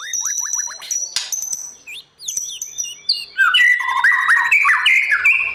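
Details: White-rumped shama singing in the morning to train wild-caught competition birds; a few quick rising notes and high thin whistles, then a loud, fast jumble of whistled phrases.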